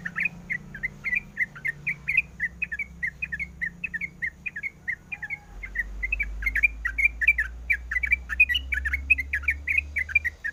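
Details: A female sooty-headed bulbul calls for a male with quick chattering chirps, several per second. The rapid bubbly notes grow denser and louder in the second half above a low rumbling drone.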